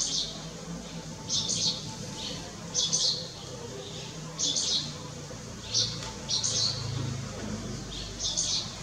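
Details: At Lugu, 30 June 2022, a striated swallow repeats high, scratchy chirps, some doubled, roughly every second, with quiet low rumble underneath.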